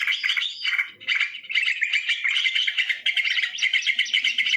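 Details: Sooty-headed bulbul lure sound recorded live in nature: dense, continuous bubbly chirps and short whistled notes, overlapping and chattering, with a brief dip just after the first second.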